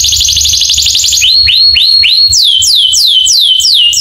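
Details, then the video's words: Canary singing as a training recording for other canaries: a quick buzzy trill opens, followed by a series of clear whistled notes that rise and fall in arcs, repeated evenly about twice a second. "masteran burung kenari cuit cuitnya bikin kenari lain langsung nyamber"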